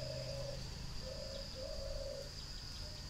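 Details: Spotted dove from a northern Vietnam breeding aviary in Ba Vi, Hanoi: soft low coos, a short note then longer drawn-out coos spaced about a second apart, over a steady high insect-like whine and low background hum.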